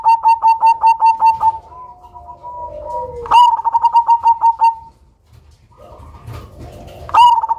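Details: Cemani zebra dove with a big voice and unusual rhythm, used as a lure: rapid strings of even pulsed coos, a softer descending coo, then another burst and a third phrase beginning.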